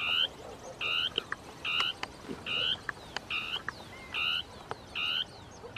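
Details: Dusky tapaculo territorial song from thickets where two birds interact: strong buzzy churring notes repeated steadily, about seven in six seconds, interspersed with sharp clicks and snaps.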